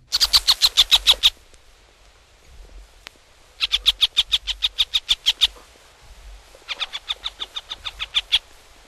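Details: Northern Harrier (marsh hawk) from eastern and central North America gives three bursts of rapid, sharp, high kek notes, about eight to twelve per burst, with brief quiet gaps between.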